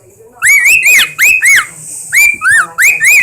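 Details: Indoor pet bird giving wolf whistles: rising whistled notes that level off and then drop, repeated in quick pairs about every second, bright and loud, with a faint background hum.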